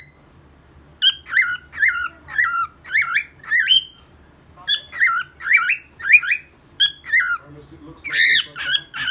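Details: Cockatiel kept as a pet singing indoors: a run of warbled, whistled phrases, each a sharp rising then falling note, repeated about every half second in two bursts with a short pause between.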